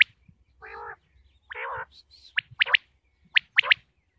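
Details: Common quail from Pakistan: two nasal, buzzy, harmonic notes, then sharp high clipped notes in quick pairs and triplets, with faint low thumps beneath.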